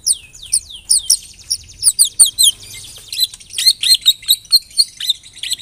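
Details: White-rumped shama lure song (pancingan) meant to set other shamas singing: a fast series of high downslurred whistles, each repeated quickly, giving way to looping twisted notes in a steady, pulsing rhythm.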